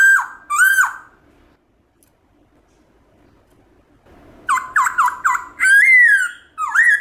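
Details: Black-throated laughingthrush giving wild-style song meant to excite pet birds into singing. Two slurred whistles, a pause, then quick falling whistled notes that lead into longer wavering, bending phrases.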